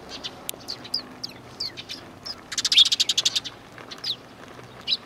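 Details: Sparrows greeting the person recording on 7 April 2020, on the way out, with one sparrow having an injured leg; scattered bright chirps, then a fast run of about a dozen sharp chirps in the middle, followed by a few more spaced notes.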